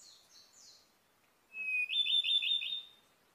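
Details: Ryukyu robin, endemic to Okinawa island, Japan, and endangered, singing: faint high thin notes, a pause, then a loud clear sustained whistle running straight into a quick trill of four or five repeated notes. Quiet background.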